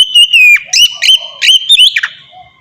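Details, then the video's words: White-rumped shama, kacer, in ngeplong song for training captive birds: a gliding clear whistle interrupted by four or five sharp chip notes. "suara burung kacer ngeplong merdu"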